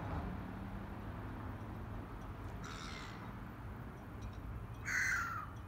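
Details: A crow by Hiragata Bay, Kanazawa-hakkei, Japan, around 12:57 on 1 February 2020, gives two harsh, hoarse caws about two seconds apart over wind and water rumble; shortly afterwards a swimming black-headed gull flock takes off together.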